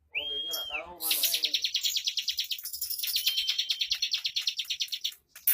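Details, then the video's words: Bar-winged prinia singing in the fast, tightly packed 'bocor ngunci speed rapat' style: a clean rising-falling whistle, then a long buzzy burst of rapid high notes, about three every second. "Suara Burung CIBLEK Bocor Tipikal Ngunci lagu Speed Rapat !!!"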